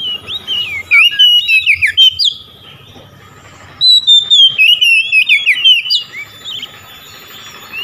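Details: Oriental magpie-robin singing to challenge rival magpie-robins, which reply: two rapid runs of varied, chattering whistled notes, each about two seconds long, separated by a quiet pause, over soft background noise.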